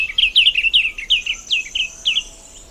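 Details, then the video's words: A diademed tanager, a bird of montane forest edges, woodlands, parks and gardens, sings a quick run of bright, slurred chirps, about three notes a second, over a faint high insect hiss. "The Sound of the Diademed Tanager"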